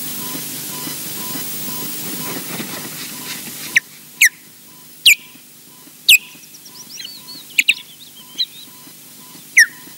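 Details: An osprey alarm-calls on its nest at Loch Garten, Scotland, on its first morning back: sharp, high, downslurred whistles, about eight spaced irregularly over six seconds, after a few seconds of wind hiss, with a faint steady hum underneath.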